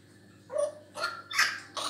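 An African grey parrot gives four short, harsh, bark-like squawks within two seconds, each rough and noisy with a mid-pitched tone, in a quiet indoor room.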